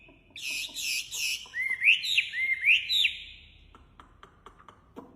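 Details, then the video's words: Wambi bird singing vigorously: a run of bright whistled notes rising and falling in arcs, several in quick succession, then a few soft clicks and faint background noise. "Suara Khas Burung Wambi Gacor Enak Suaranya"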